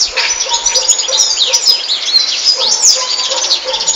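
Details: Rapid high warbling from a European goldfinch: tumbling twitters and sweeping slurred whistles packed closely together, with a louder burst near the end.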